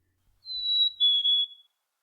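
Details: A Black-capped Chickadee sings its clear two-note fee-bee ("hey sweetie"/"cheeseburger") song, a high steady note then a slightly lower one; males start it in mid-January, increasing through winter, peaking February–March. No other sounds.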